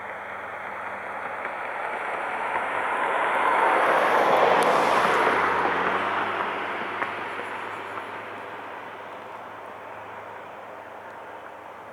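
A broad engine roar, like a passing vehicle or aircraft, swells to a peak midway and then fades, with no animal voices audible.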